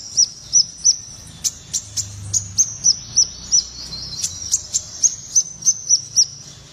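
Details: Blue-tailed minivet, speckled form, singing actively: a rapid series of thin, very high chipping notes, each a short sharp downslur, repeated about three times a second with brief pauses and faint background hiss.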